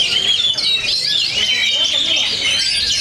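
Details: At a Cikeas singing contest, Oriental magpie-robins pour out a constant, crowded tangle of shrill whistles and quick chattering trills, several birds singing at once.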